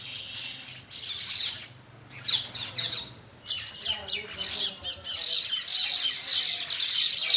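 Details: A morning flock of common mynas at a feeding spot in Bangladesh gives dense, harsh, squawking calls that overlap almost without pause. The chatter sits high and scratchy, with faint voices in the background.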